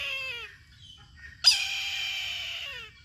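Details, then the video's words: Brahminy kite: a short, descending mewing note fades out, then a sudden, loud, piercing squeal holds steady for over a second. It tails off with a downward slide. Little else is heard. "Brahminy Kite | ខ្លែងឆាបពណ៌លៀងក្រម៉ៅ"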